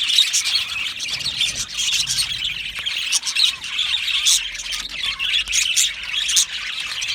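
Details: Australian budgies in a colony aviary, singing and chirping happily: continuous high chatter with louder squawks standing out, plus warbled phrases from several birds at once.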